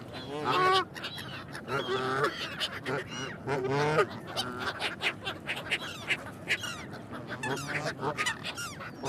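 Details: Geese give clear nasal honks early on, then a busier stretch of short, clipped calls and clicks from several birds.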